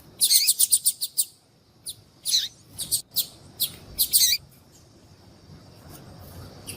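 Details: A female yellow-bellied seedeater calls to draw males: a fast burst of high tweets, then clustered chirps with sharp downward tails, ending in silence with faint background hiss.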